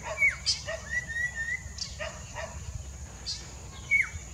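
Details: Ringed Collared Palm-Thrush singing near Mida Creek: bright whistled notes, a wavering level phrase and a sharply dropping slur, with brief high chips and soft lower notes between, over background hiss.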